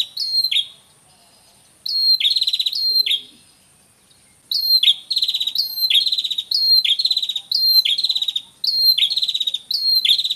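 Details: Red-headed prinia, male and female calling together, a natural recording used as a trapping lure: sharp high note plus buzzy rattling trill phrases repeated rapidly, a brief pause near the start, then near-continuous bursts.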